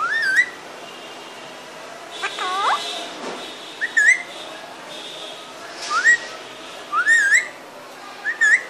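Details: Pet parrot giving short, clear rising whistles, each a quick upward slur ending in a small flourish, repeated every one to two seconds. Softer squeaky sounds occur in between, over low room noise.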